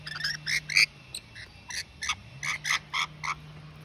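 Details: A pair of rainbow lorikeets defending their territory, with a magpie involved, give harsh, rasping screeches in quick bursts, about four a second, with a faint low hum underneath.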